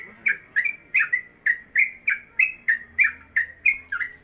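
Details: Caged trucuk, the Yellow-vented Bulbul, kept at home as a newcomer tutor bird for other songbirds. Its singing style is called 'konslet kemedol'. About ten bright, falling whistled notes come at a steady beat, roughly three per second, over a faint constant high tone.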